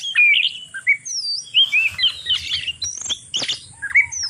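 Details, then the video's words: Oriental magpie-robin calling to stimulate other birds to breed: varied whistled and chirping phrases, rising and falling notes with scratchy bursts, mostly high-pitched and dense, with a faint low hum beneath. "Suara Kacer kawin ini Ampuh Menaikkan Birahi Kacer Lain Agar Cepat Kawin"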